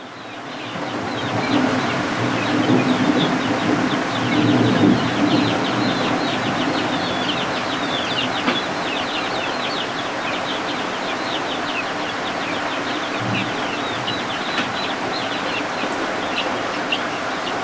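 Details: Newly hatched helmeted guineafowl keets kept warm indoors under a heat lamp on a homestead, with rain falling outside. The keets give dense, high, thin peeps repeated rapidly and overlapping, over a steady hiss of rain.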